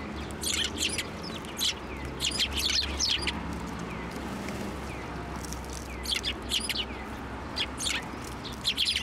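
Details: Chattering sparrows at a Tenmangu shrine, New Year's Day 2024, hopping onto an outstretched hand for food; clusters of sharp chirps come in bursts with brief quieter gaps, over a low outdoor hum.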